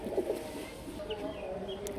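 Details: Pigeons kept for sale with eggs and chicks in Mirpur-1, Dhaka, give soft, low murmuring coos, rolling and blending into a steady, throaty hum.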